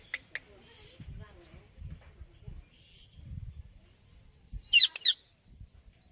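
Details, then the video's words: Indian ringneck parakeet: after several quiet seconds with faint low rumbling and soft chatter, two sharp, harsh screeches come close together near the end. "Parrot Chirping Sound Effect"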